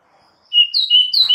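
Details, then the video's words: White-rumped shama song used as provocation for other shamas: a brief burst of clear, loud, slightly wavering whistles, high and sustained. "PANCINGAN Murai Batu bikin langsung EMOSI murai manapun saat mendengarnya"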